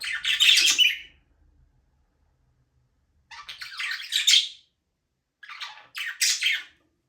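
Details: Pet budgerigars, described as Australian parrots, flying free in a small aviary. Three bursts of harsh, scratchy chirping chatter with pauses between them. No music and no other clear sounds.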